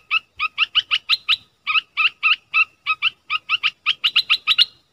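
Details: Decoy dok taeng bird in the forest on 13 January 2021, calling for a mate. Steady, evenly spaced chirps, each short and bright, sometimes grouped in twos and threes, with faint low rustling.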